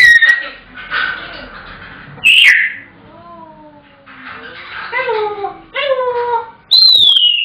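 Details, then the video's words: Pet African grey parrot shouting on its owner's return home, continuing until fed and starting again whenever the owner leaves the room; loud mixed whistles, rising and falling tonal calls and harsh squawky bursts, with short quiet gaps between outbursts. "The African Grey Shouting"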